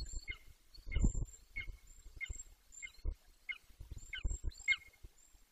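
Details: A juvenile Golden Eagle, 18 weeks old, calling intermittently near its Bucovina nest, 9.6.21. Spaced, high, descending squeals repeat roughly twice a second, with thin high whistles in the background and short low thumps of wind.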